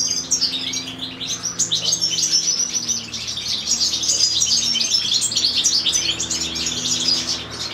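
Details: Common chaffinch parent feeding its chick: a continuous stream of thin, high chirps, rapid and uneven, over a low steady hum.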